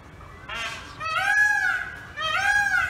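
A peafowl gives loud, nasal, wailing calls with a rich harmonic stack, each rising then falling over about a second, repeated three times.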